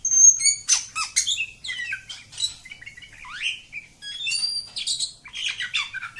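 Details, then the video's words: Kacer kampung pouring out 'ngacor' song: rapid sharp downslurred notes, twittering runs and rising whistles, one phrase after another with short gaps. "Kacer Kampung. Super Ngacor panjang"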